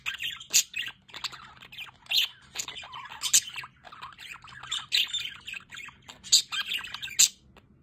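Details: Several budgerigars in an aviary with a solar water fountain chatter busily, mixing rasping squawks, squeaks and warbled chirps in a continuous, uneven stream.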